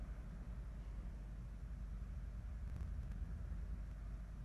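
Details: Deep continuous rumble of vehicles or engines, with no animal sound heard.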